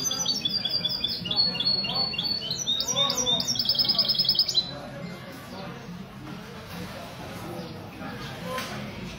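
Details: Mestizo goldfinch hybrid from a goldfinch association performing at a Sunday morning café meet in Ksar El Kebir, Morocco, February 2020. Bright, fast twittering phrases and a buzzy trill end after about four seconds, leaving background chatter and hum.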